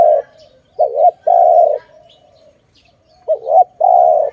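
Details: Dove calling where birds are trapped: a brief wobbling coo, then a drawn-out even coo, heard twice with a pause between the pairs.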